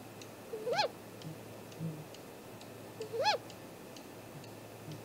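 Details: Great grey owl calling at its nest tree at 7:15 am on April 2, 2018, recorded by a live nest camera: two soft, mid-pitched hooting notes that swell upward then drop, about two and a half seconds apart, over faint steady background hum.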